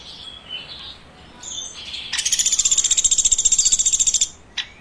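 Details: Woodpecker chirping. Faint, soft high notes come first, then a loud, fast train of buzzy chirps, about ten a second for two seconds. A single short sharp note follows after a pause.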